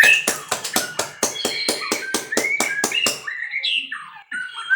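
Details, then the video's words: White-rumped shama from a breeding setup: a steady series of loud, harsh clicking strokes with thin whistles laced through, then a few soft, gliding whistled phrases after the clicks stop. "muray batu suara mantap"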